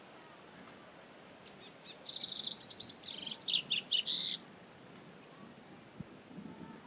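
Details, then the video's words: Double-collared seedeater singing in nature: after a lone high note, a quick run of bright, high chirped notes for about two seconds, rapid and slightly uneven, ending in a few slurred phrases, over a quiet natural background. "COLEIRO NA NATUREZA."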